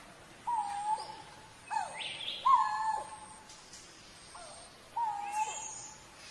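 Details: Repeated low, hooting whistles from a coral-billed ground cuckoo, four drawn-out notes each ending in a downward slur, roughly every one to two seconds, with scattered higher bird chirps and quiet forest ambience.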